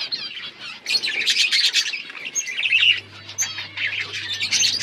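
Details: Budgerigars breeding in a colony produce loud overlapping chirps, squawks and warbled phrases, pausing briefly near three seconds before resuming, with a low hum in the second half.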